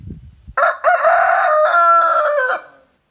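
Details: Rooster crowing in the morning: one loud, harmonic cock-a-doodle-doo about two seconds long, opening with a short clipped note, then a sustained strained middle held steady and a falling ending, preceded by faint low rustling.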